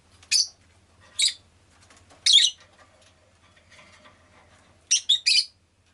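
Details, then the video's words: Pet rosy-faced lovebird in Japan chirping: short harsh screechy notes spaced about a second apart, ending in a quick triple burst, with faint soft chatter between calls. "Lovebird Chirping Sounds"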